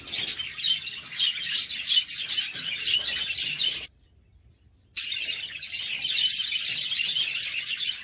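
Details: Many budgerigars in a breeding room chatter at once, a dense wash of high chirps and warbles.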